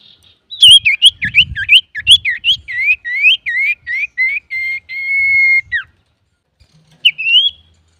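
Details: Male common iora singing loudly, a song used to lure other birds: a fast run of clear whistled notes dipping and rising around mid pitch, then a long steady whistle, a pause and one more rising whistled phrase.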